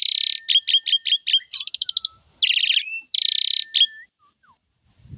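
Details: Female Javan pied starling in energetic song while pumping: rapid series of harsh buzzy notes, a metallic rattle and a loud grating burst, each ending in a short whistle, then a few faint soft notes.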